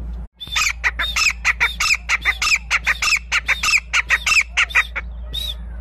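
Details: Grey francolin giving a rapid series of harsh, ringing, squawky notes, roughly one every quarter second, some with rising-falling inflections, continuing for over five seconds before a last isolated note; low steady hum underneath.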